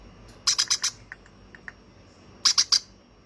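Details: Young hand-fed conure: a rapid run of four grating squawks, a few faint ticks, then a second run of three harsh notes.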